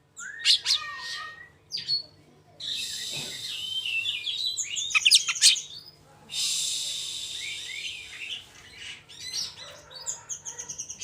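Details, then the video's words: Fast-rolling Oriental magpie-robin song meant to challenge other magpie-robins and make them sing: clicks and slurred whistles, long harsh buzzy stretches, and bright chirped phrases, with short gaps between bursts. "Tipe burung rol spid Cari lawan, cocok buat pncing bunyi kacer bahan...biar mau on.."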